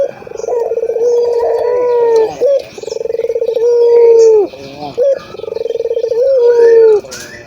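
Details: Local ringed turtle dove, known as puter, cooing vigorously: three long, low, purring coos, each rolling on for about two seconds and ending in a smooth downward slur, with short breaks between.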